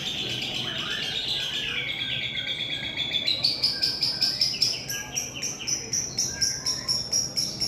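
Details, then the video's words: Long-tailed shrike singing in imitation of a lovebird: a wavering, high twittering phrase that gives way to a rapid, evenly pulsed series of shrill chips, growing louder and repeated several times a second. "burung cendet gacor dor nembak lovebird, ngekek panjang"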